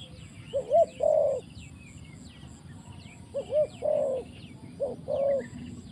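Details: Trapping decoy spotted dove on the ground repeating its phrase three times, about every one and a half seconds: two quick soft hooting notes then a longer mellow coo. Small birds chirp faintly in the background.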